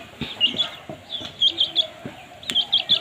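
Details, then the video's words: Baby chicks chirping while eating food: short high peeps in small clusters, some rising, spaced irregularly over a few seconds, with faint pecking or tapping sounds underneath. "Cute baby chicks chirping sounds"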